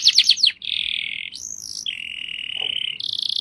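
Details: Singing canary opening with a fast rattling trill, then long steady whistled notes at changing pitches, one rising swoop, and a final buzzy high rolled trill; loud and clean.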